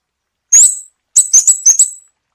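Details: Scarlet-backed flowerpecker singing, cleaned of background noise: sharp, very high ticking notes, one alone, then a quick run of four, each note dropping in loudness.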